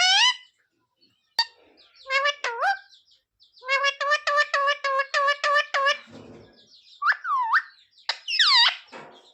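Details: Parrot mimicking words, then a rapid string of about ten evenly repeated clipped syllables, followed by rising whistled notes and a faint rustle.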